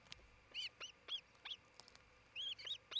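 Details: Osprey at its nest in Charlo, Montana, filmed by a nest camera just before noon on 27 June 2018, where a pair is nesting. It gives clear, high, arched whistled calls, single and in quick runs of two or three.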